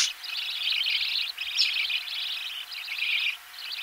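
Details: Budgerigar chicks fed in the nest, recorded close: nearly continuous high, raspy, wavering chatter in three long phrases with short breaks, plus faint low knocks.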